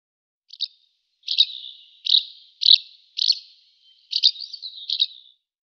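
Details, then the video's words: Barn swallow uttering a series of sharp high chirps, each trailing into a thin fading tone, repeated roughly every half second to second. "Ev Kırlangıcı"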